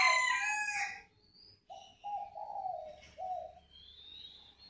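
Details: A rooster crows loudly at the start, then a spotted dove gives its calling coo, a soft low phrase of a short note, a long wavering note and a short final note, with faint thin whistles above.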